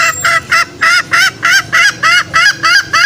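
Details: Green junglefowl trapping lure: evenly spaced, nasal honking notes repeated about three times a second, each a short bent cluck, clean with no other sounds.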